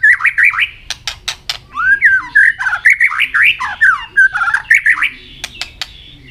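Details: Caged white-rumped shama singing hard in contest and flicking its tail: loud, varied warbled song of swooping whistles and rapid slurred notes, with sharp clicks among the phrases.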